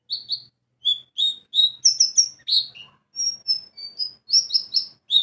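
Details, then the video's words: White-eye lure song played to provoke rival birds into singing: a lively series of high chirps and short whistled slurs in quick clusters, paced steadily over several seconds, with a clean background. "PANCINGAN PLECI BAHAN JANATAN PASTI BUKPAR,NGALAS,WIKSAR"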